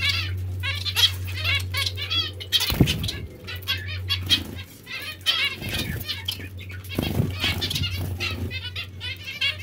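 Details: Zebra finches bathing and chattering, with repeated nasal, trumpet-like chirps in clustered bursts, loud wing-beat thumps around the third and seventh seconds, and a steady low hum.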